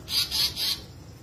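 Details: Asian paradise flycatcher, the tali pocong or seriwang, uttering a tight series of three harsh, hoarse, buzzy notes, evenly spaced, over a low steady background.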